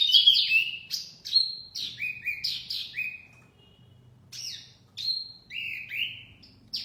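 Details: Lure song of a mini wambi: sharp, high whistled notes that slide down or level out, delivered in quick clusters separated by short pauses, with a faint low hum behind.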